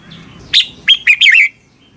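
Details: Song of a red-whiskered bulbul from Thailand, used to train caged birds or get them excited: a single brisk phrase of four liquid, slurred whistled notes, clean against a quiet low hum.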